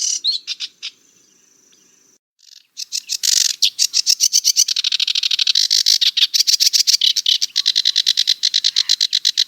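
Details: Sedge warbler in prolonged song: a few scratchy notes and a thin buzz, then a loud, fast run of harsh churring and chattering trills that goes on without pause.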